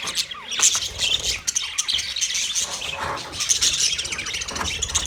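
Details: Colony of about thirty pairs of budgerigars chirping together, a dense overlapping chatter of high twittering notes, squeaks and short squawks with no pauses, a few rising whistles standing out briefly.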